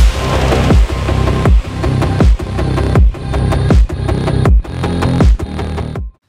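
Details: Heavy electronic drum-and-bass music with booming low beats repeating about every 0.75 seconds; no animal sound is heard.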